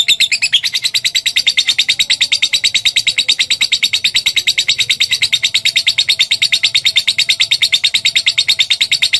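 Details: Lovebird calling, meant as training audio to get a response: one harsh squeak, then a long, very regular rapid pulsed trill of shrill buzzy notes sustained for about nine seconds.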